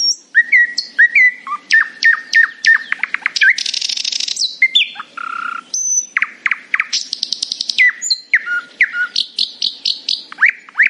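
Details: Varied morning song from a nightingale: loud whistled phrases, long buzzy rattles, and runs of quick repeated notes, switching abruptly between pitches over a quiet backdrop.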